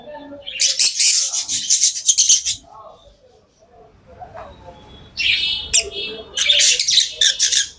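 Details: Tame lovebirds producing dense, buzzy, high chirping chatter. A lull with soft low murmurs follows, then a renewed outburst of shrill, rasping notes.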